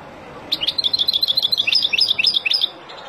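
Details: Wild European goldfinch giving a fast tinkling twitter, some twenty quick high notes in two seconds, used to teach young birds, over a soft steady background hiss.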